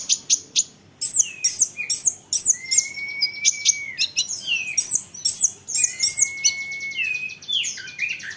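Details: Olive-backed sunbird song meant to make other sunbirds answer: rapid, very high sharp chirps and curling notes, with two long level whistles held for about a second each.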